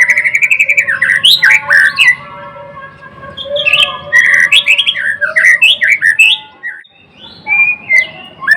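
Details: Murai batu, the white-rumped shama, pouring out a rich varied song: rapid repeated chirps, swooping whistles and harsh clicking notes in quick succession, with a brief lull near the end.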